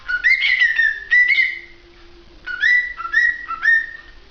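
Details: Clear whistling from a cockatiel: two long wavering notes, a short gap, then three quick notes that each jump upward.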